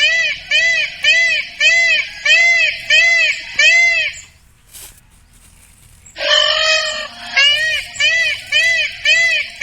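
Indian peafowl giving loud, nasal, rising-falling wails, about seven in a quick run, a two-second pause, then another series.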